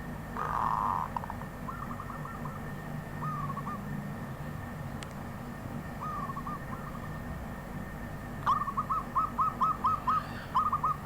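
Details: Several soft trilled cooing phrases from a wild zebra dove, growing into a rapid run of clipped staccato notes near the end, with low rumbling background.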